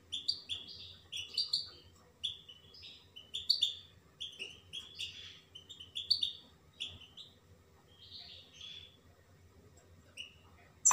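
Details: European goldfinch song of quick tinkling chirps and liquid slurred notes in lively bursts, thinning toward the end before a sharp knock closes the recording.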